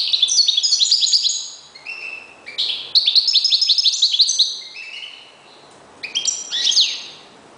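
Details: Captive European goldfinch kept as a reclamo bird delivers rapid, liquid twittering runs of quick high notes, mixed with short buzzy tones, in three bursts with brief gaps between them.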